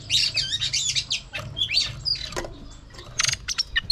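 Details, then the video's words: Female oriental magpie-robin singing to stir a male: a varied run of high warbled phrases, slurred whistles and quick chirps, rather busy and uneven, with low background hum throughout. "chòe than mái HUÝT KÈM THÚC TRỐNG.chòe than mái kích trống căng lửa.chim chích chòe than mái hót"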